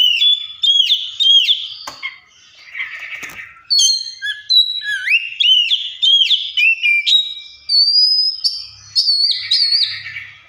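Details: Oriental magpie-robin imitating other birds with a rich, varied run of bright whistles, quick chirps, buzzy notes and rising slurs, delivered as a continuous string of short phrases with hardly a pause.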